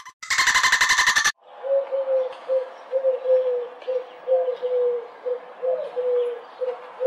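A pigeon gives a run of soft, low cooing notes, short hums repeated about once a second, after a brief loud burst of flapping wings.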